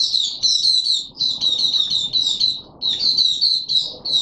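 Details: Caged white-eye being pushed on form, singing a continuous run of high, rapid twittering phrases with brief pauses between bursts.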